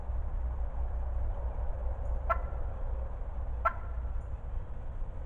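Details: Two brief raspy notes from a talkative wild turkey hen at close range in spring 2020, spaced over a second apart against heavy low-frequency rumble.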